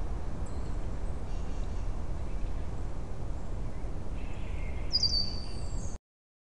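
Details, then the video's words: A Red-winged Blackbird gives a single thin, high, slightly falling alarm whistle near the end, recorded around 08:14 on 15 March 2019, partly buried under steady low wind rumble. "RED-WINGED BLACKBIRD ALARM WHISTLE"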